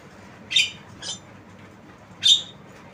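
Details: Two loud, grating squawks from a tame Javan myna with a softer, thinner note in between, against faint background hiss.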